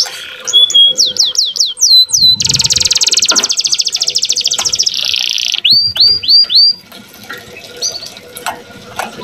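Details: Singing young canary, its song meant to stir hens into breeding condition: quick downward-sweeping whistles, a long buzzing high trill, a lower rolling trill, then more looping whistled notes over faint background noise.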